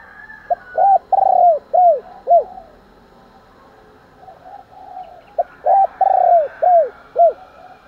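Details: Spotted dove cooing in the morning to provoke fighting: two phrases, each a short clipped note followed by four arched, mellow coos, the middle one longest, separated by a pause; faint twittering from another bird behind.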